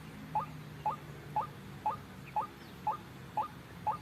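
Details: Ruak-ruak (white-breasted waterhen) lure sound for trapping: eight short upward-inflected notes, regularly spaced twice per second, with quiet hum behind.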